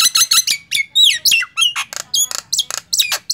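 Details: Nias hill myna giving a quick medley of loud whistles, squawks and sliding notes in close succession.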